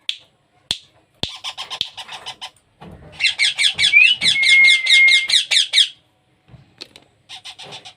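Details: Baby parrot being hand-fed: scattered clicks and pulsed notes, then a long, loud, harsh run of rapid begging squawks with a thin whistle inside, and softer notes afterwards.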